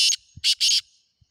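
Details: Black francolin calling: a short harsh note followed by two loud buzzy, grating bursts, the second longer, all high-pitched with no other sounds.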